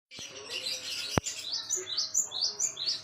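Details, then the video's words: Java sparrow song used as a tutor for training songbirds: a run of high, thin chirps and short rising whistled notes repeated about twice per second, with one sharp click near the middle. "burung gelatik wingko buat masteran"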